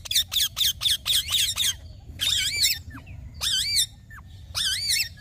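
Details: Green talking parrot giving a rapid series of about seven short, harsh screeches, then longer wavering, trilled squawks spaced with brief silences.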